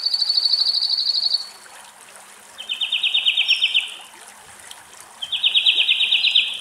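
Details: Song thrush in Greek countryside, where two thrushes drink rainwater: three bright, rapid trilled phrases of about a second and a half each, pitched differently with short pauses, over a faint hiss.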